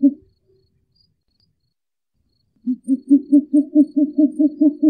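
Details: Short-eared owl: one hoot at the start, then silence for over two seconds. A fresh, evenly paced series of low, muffled hoots follows, about four per second, continuing to the end.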